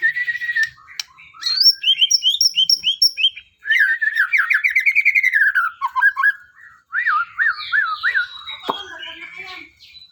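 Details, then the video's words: White-rumped shama in energetic song, said to be looking for a companion: rich, varied phrases of trilled, rattling and whistled notes, fast repeated series and looping whistles, with a few short pauses. "suara Kicaumania muraigacor mantul"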